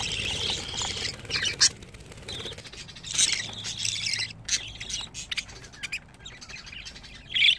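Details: Twenty-five-day-old budgerigar babies: grating, hissy begging squawks in uneven bursts with short pauses, ending in a louder raspy call.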